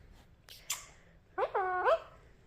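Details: Alexandrine parakeet giving a brief scratchy voice sound followed by two hoarse, speech-like syllables, possibly "good morning", in a quiet indoor setting.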